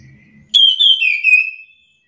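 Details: Orange-headed thrush (anis kembang), agitated, answering back and forth with another bird. After a faint low murmur, one long loud whistle begins high and slides gradually downward before fading out.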